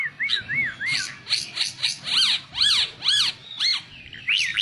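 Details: Oriental white-eye singing, kept as a master song for teaching other birds: short arched whistles, then loud ringing chevron-shaped notes repeated about twice a second, with a final rising whistle.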